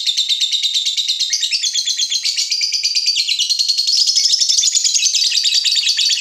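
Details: Agitated fighter lovebird reacting to a rival, pouring out a long, dense, high, rattling chatter with fast repeated notes that shift up and down in pitch for several seconds without pause.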